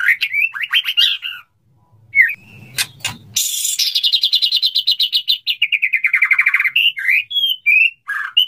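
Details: Male white-rumped shama courting a female: varied whistles, a harsh noisy burst, then a long pulsing series of rapid repeated notes gradually descending, followed by short whistled phrases.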